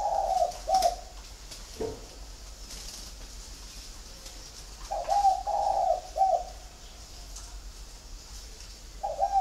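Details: Captive flock of spotted doves at a dove farm in Ba Vi, Hanoi, Vietnam, giving soft, low, hollow coos in short phrased bursts with pauses between phrases, faint background hiss.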